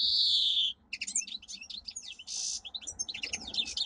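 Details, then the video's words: Domestic canary, a caged pet songbird, singing a powerful training song: a long buzzy high trill, then rapid varied chirps, sweeping whistles and a harsh rattling burst, delivered in quick succession. "Canary singing - 2 Canary 's most powerful song for training"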